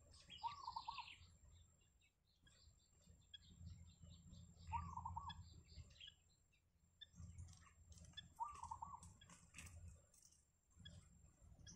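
Yellow bittern giving a harsh, nasal squawk about every four seconds, with faint, fast high ticking and chirping in between over a low rumble.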